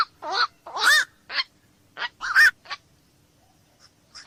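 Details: Black-crowned night heron giving harsh, hoarse squawks, seven short barking notes spaced irregularly over four seconds, some with a downward-bending tone, against a quiet background.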